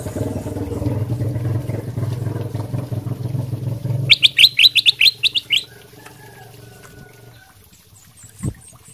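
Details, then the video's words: Kutilang emas sutra, a ruby-throated bulbul singing energetically to prompt other birds to answer: low background hum gives way to a rapid string of about ten bright, chirping whistled notes lasting over a second. "kutilang emas sutra gacor buat pancingan langsung nyaut"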